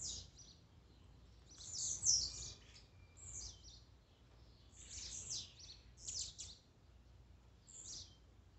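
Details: Several Blue-black grassquit song bursts, used to rouse a kept bird: thin, buzzy, high notes falling in pitch, repeated irregularly in clusters, with steady low background noise.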